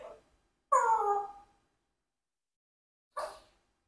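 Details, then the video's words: Congo African grey parrot, a four-year-old adopted pet, talking: a clear tonal word with strong harmonics slurring downward, then a gap and a short clipped syllable. "Parrot Rocky Asked Many Unexpected Questions"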